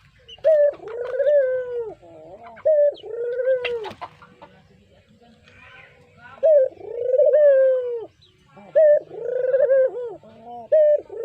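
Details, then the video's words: Brown Barbary dove, a kept cage bird, with a melodious call used as a lure: a short higher note sliding into a long mellow coo that droops at the end, repeated several times with brief pauses and faint background clatter. "Suara Merdu Burung Puter Coklat, Cocok Buat Pancingan"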